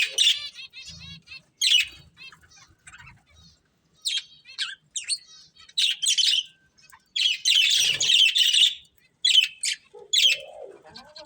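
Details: Breeding pair of budgerigars giving short chirps and scratchy warbles in bursts separated by brief silences, with small clicks and faint rustling between calls.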